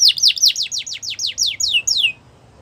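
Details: Yorkshire canary for song training: about ten loud sharply descending whistled notes, repeated roughly every fifth of a second, with the final notes sweeping lower before silence.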